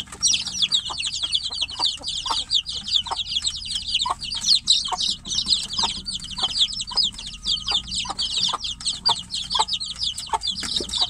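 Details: Chicks shut in a cage cry for the mother hen outside. Many loud, piercing peeps overlap almost without a break, each a sharp falling whistle, with faint short lower knocks spaced through the background.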